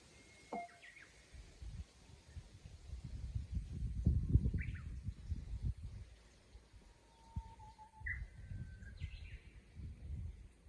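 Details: Japanese bush warbler in a rural countryside chorus: several whistled phrases, including a long steady note that breaks into a sharp rising flourish, plus short higher notes, over a continuous low rumbling background.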